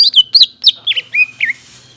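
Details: Short phrase from a greater green leafbird provoking song: six quick, clear whistled notes, several swooping down, spaced about a quarter second apart, then quiet.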